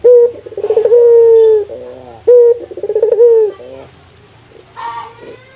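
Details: Barbary dove from Indonesia calling to urge other doves to sing. Two rhythmic cooing phrases are heard, each a sudden low note with a fluttering trill and a held hum, then quieter sounds as the calling fades.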